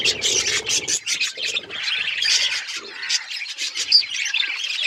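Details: Several pet budgies warble over one another in rapid, rasping chirps and squeaky notes, with a faint low hum in the opening second.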